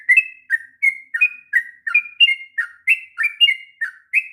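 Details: Long rolling song of a sooty-headed bulbul, meant as a tutor recording for young birds; clear fluty notes alternating high and low, each starting with a short dropping slur, spaced roughly every third of a second.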